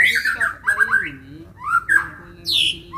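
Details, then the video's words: Agitated white-rumped shama provoked into fighting song, delivering squawky, rich whistled phrases that dip and climb, with harsh rasping edges and a final high, loud sweeping note after brief pauses. "MURAI BATU TARUNG || PANCINGAN MURAI BATU EMOSI IKUT GACOR DAN FIGHTER !!!"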